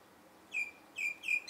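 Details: Common myna giving three falling, slightly buzzy whistles, the first alone and the last two close together, with little else audible.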